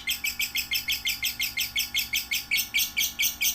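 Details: Lovebird chicks aged one to three months, used as a master recording for training other lovebirds: fast, rhythmic chirps repeated about every quarter second, bright and high, with a steady low hum underneath.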